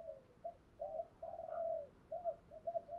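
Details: Decoy spotted dove cooing to lure wild doves, switching phrases continuously; a series of low, hollow coos, short notes followed by a longer drawn-out coo and further short notes, in a quiet room.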